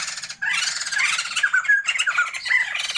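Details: Loud, harsh chattering chorus from a breeding pair of caged Sumatran laughingthrushes, the bursts mixing grating squawks with short downslurred whistles and running without a break after a brief opening pause.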